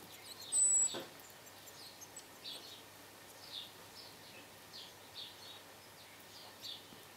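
Blue and great tits give soft, high, short chirps every half second or so, with one sharper thin note near the start, over quiet outdoor background.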